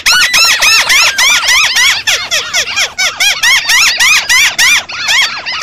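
White-browed crake giving a loud, nasal chatter of arched, squeaky notes, about three or four each second in an unbroken run.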